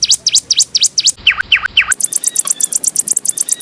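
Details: Master song of a canary, recorded as a model for teaching other cage birds. Sharp V-shaped chirps repeat rapidly, then three lower slurred notes, then a very fast high rattling series.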